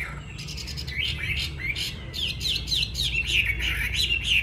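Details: Home-kept yellow-billed hwamei: a rapid series of sharp, high whistled notes, repeated several times a second, building in loudness over steady low background noise.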